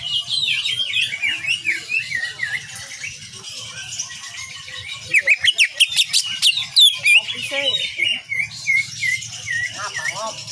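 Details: Lively Greater green leafbird song, kapas tembak nyengklir style, for training cage birds: warbling, looping phrases broken by a quick volley of sharp shot notes, then more varied chirps.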